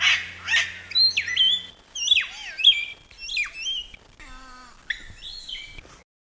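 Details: A displaying palm cockatoo in Australia gives a varied run of swooping whistled calls, some bending sharply down in pitch, likened to "Donkey Kong".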